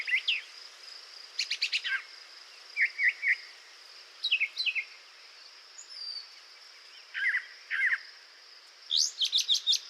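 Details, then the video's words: A brown thrasher sings for 40 seconds without repeating itself: a rapid string of varied, rich phrases, many given in pairs, ranging from low warbles to sharp high notes, over a steady high hiss. "Now, you just heard a brown thrasher sing for 40 seconds without repeating itself."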